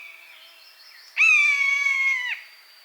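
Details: Buzzard, a wild bird of prey in its natural habitat, gives a single drawn-out mewing call lasting about a second. The call is steady and harmonic-rich, sags slightly, then drops off sharply at the end. Quiet background.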